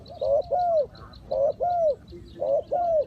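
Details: Spotted dove decoy in a trap for wild doves: a short hooked note, then a longer falling coo, repeated three times in under three seconds, with a faint high twittering behind.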